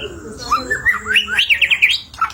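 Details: Energetic white-rumped shama song used as a lure to prompt other birds to sing: a rapid run of whistled notes climbing steadily in pitch, each note slurred upward, ending in a short low whistle over a faint hum.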